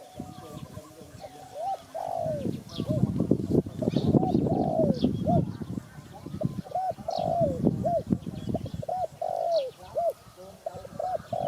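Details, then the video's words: Spotted dove giving rapid, arched cooing notes that swell and fall, repeated many times across the stretch, over loud low rumbling noise with faint higher chirps from other birds. "Sound Spotted Dove"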